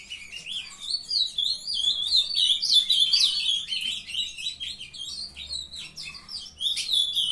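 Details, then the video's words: Juvenile Ultramarine grosbeaks bred in captivity, singing together: quick, jumbled high warbles with slurred up-and-down notes, steady throughout, ending in a sharper burst. "filhotada de azulão mandando ver"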